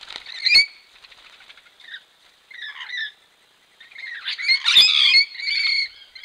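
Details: Local Rainbow lorikeets caught on a camera trap while bathing give harsh, buzzy screeches in overlapping bursts, with sharp splashing snaps breaking through the calls.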